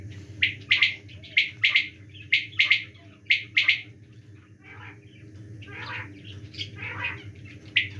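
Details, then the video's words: A quail calls during the winter season with repeated crisp triplet notes. These give way to softer, raspier chirps in the second half, all over a continuous low hum. "quail calling in winter season"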